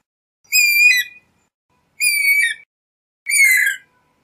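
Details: A guira cuckoo walking a garden at dusk, foraging and sunning, gives its characteristic call: three harsh, buzzy, squealing notes, each under a second, spaced about a second and a half apart, with nothing else audible.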